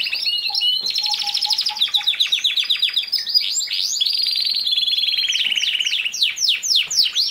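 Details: Young male canary training song: long rolling trills at high pitch, a run of soft low whistled pips, then a series of sharp downward-sweeping chirps near the end.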